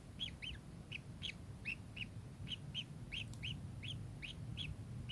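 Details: Kingfisher repeating clear, sharp, slightly rising chip notes, around fifteen in five seconds at a fairly even pace, over soft low background rumble.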